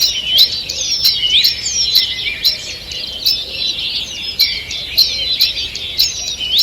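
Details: Forest birds on a June morning, 2 June 2023: bright high twittering and whistled phrases from several singers, steady and overlapping, punctuated by sharp ticking clicks.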